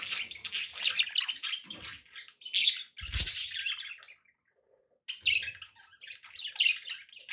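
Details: Pet budgies give a continuous, rolling flow of buzzy warbles, clicks and sharp chirps, recorded with background noise for relaxation. One short thud breaks in, then a near-silent gap before the chattering resumes.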